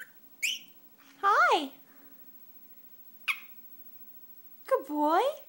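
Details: A pet male Senegal parrot chatters in response to his owner talking to him, giving sharp clicks and short rising-falling squawks in bursts, with a steady low hum indoors.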